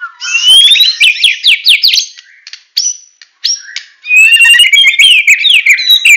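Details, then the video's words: White-rumped shama from Medan, full tembakan song: a rising whistle into a rapid series of sharp downslurred chirps, brief pauses with single high notes, then a dense fast burst of mixed whistles. "Murai Batu Medan Full Tembakan"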